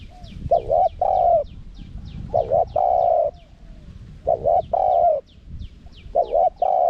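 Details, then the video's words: Spotted dove in the forest karam style with a small voice, with khat and nun phrases, played to lure wild doves. A low double coo, then a long sustained coo, repeats about every two seconds. Faint thin descending chirps sound above. "เสียงนกเขาใหญ่ คารมป่า (เสียงเล็ก) มีขัด มีหนุน คูอ่าง ใช้สำหรับเปิดต่อ ยั่วนกป่าเข้าร่วมเร็ว"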